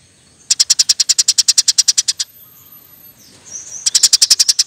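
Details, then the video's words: Eurasian tree sparrow in a training recording for birds, delivering a dense rolling string of about eighteen rapid, shrill chirps. A brief quiet gap follows before another fast burst of high notes. "Burung gereja gacor nembak rapet full alasan"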